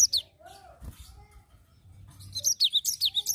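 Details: Cinereous tit ending a quiet spell with a rapid run of high, falling chirps in the ngerol style, preceded by a brief note and a soft thump.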